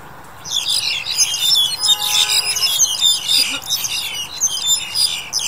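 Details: Black-collared starling (Gracupica nigricollis) chattering nonstop in January: a dense, rapid jumble of harsh, squeaky and whistled high notes with a few faint lower tones underneath.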